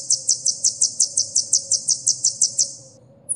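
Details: Training recording of an olive-backed sunbird, locally kolibri ninja, for caged birds: about fourteen high, clipped chirps at a steady quick pace, then quiet apart from a faint hum.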